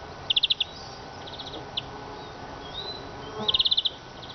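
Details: Eurasian siskin giving short, fast, high rattling trills in two bursts, with a single sharp chirp between them, over a steady low background hum.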